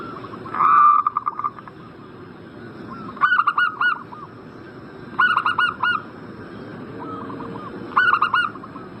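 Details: Zebra dove call meant to stir a breeding-condition bird into replying, heard as clipped bursts of four rapid, nasal cooing notes repeated about every two to three seconds over a low, steady background hum.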